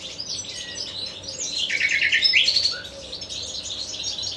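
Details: Nightingale song with a brief descending whistle followed by a quick burst of sharp rattling repeated notes, set against high twittering and a steady low background hum.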